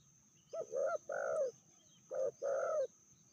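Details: Spotted dove in Indonesia, a fierce female with a medium-pitched voice, gives two double coos, each a short note followed by a longer rich coo, over low background noise.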